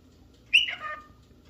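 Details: Male cockatiel calling while looking for a partner or playmate: a single short, harsh squawk that starts high and slides downward, in an otherwise quiet room.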